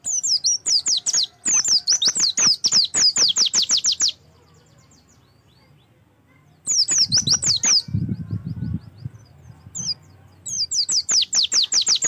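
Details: Oriental white-eye training song to coax singing: three dense bursts of rapid, high, twittering down-slurred whistles split by quiet gaps, with a brief low rustling thump in the middle.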